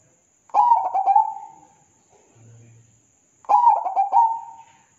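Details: Zebra dove (perkutut) song from a masteran tutor recording: two rolling, gurgling coo phrases about three seconds apart, with a brief low hum between them and a steady thin high whine throughout.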